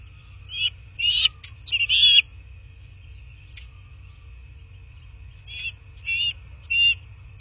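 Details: Bald eagles at a nest in southwest Florida, recorded by a nest camera: high thin squealing chitters in short bursts, a cluster early and three spaced notes later, over a steady hum.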